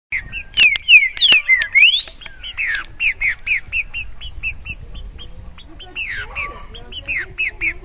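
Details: Green-winged saltator (Saltator similis) delivering a loud phrase of clear, slurred whistles: several falling notes, then a rising final sweep, while many other small birds chirp rapidly around it.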